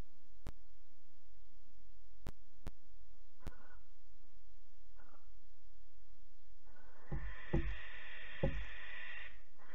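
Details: Nest-box barn owls in Alphen, late evening of 8 August 2019. Parents drive out their roughly 12-week-old young to take back the box. After a quiet stretch with clicks, a long rasping hiss-screech begins, broken by heavy thumps.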